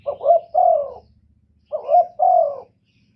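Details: Two phrases from a decoy spotted dove meant to draw in wild doves: a short soft note, a rising hiccup, then a longer throaty coo that drops away, over faint low rumble.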